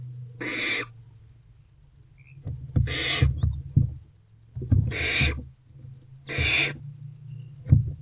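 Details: Barn owlets snuggling inside a nest box at night, 1:28 to 3:20 am, 3/2/24; four loud breathy screech-hisses spaced about two seconds apart, mixed with low thumps and shuffling sounds from movement in the box.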